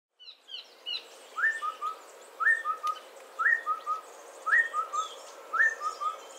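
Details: Streak-breasted scimitar babbler giving clear whistled phrases. Each is a rising note followed by two quick lower hoots, repeated about once a second, five times. Faint high chirps from other birds sit in the background.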